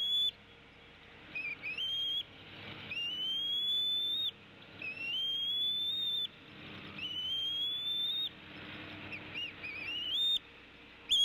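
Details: Female bald eagle tea kettling at the Decorah nest in Iowa, in April, as the male flies in, possibly with prey, while both feed an eaglet: high thin whistled notes rising and stuttering, about one burst every two seconds, with background nest-camera hiss.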